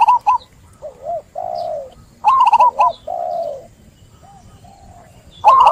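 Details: Perkutut (zebra dove) song for baiting a dove that is reluctant to sing: short clusters of quick rising-falling coos alternating with longer, lower smooth notes, several phrases across a few seconds.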